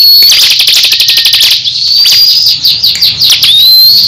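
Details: Crescent-chested babbler in a heated cage-bird duel with another ciblek; rapid clicking rattle at a steady pace, then looser ticks and a final rising whistle.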